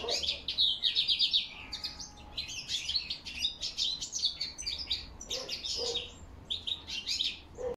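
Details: European goldfinch autumn singing, October 2021, with a crested lark's whistles: quick chattering twitters in dense bursts, a faint lower whistled note and a few soft lower chirps.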